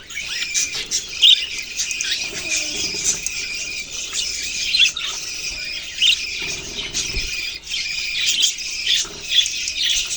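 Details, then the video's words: Budgerigars recorded November 6, 2023 keep up a busy flock chatter: shrill overlapping chirps and squeaky twitters run without pause, with sharper accented notes now and then and faint low background rumble. "Budgies beautiful colours and chirping sounds"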